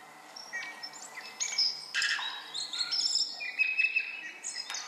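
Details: Tui song on the Otago Peninsula, New Zealand: clear melodic whistles mixed with coughs, clicks, squeaks, grunts and buzzy scraping, high throughout over a quiet background; only about half its song is audible to human ears.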